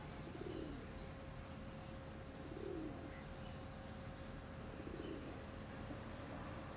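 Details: A domestic feral pigeon (Columba livia domestica) in Prule, Ljubljana, on 8 April 2024 gives low, soft coos about every two and a half seconds, with faint high chirps from small birds and a steady hum behind.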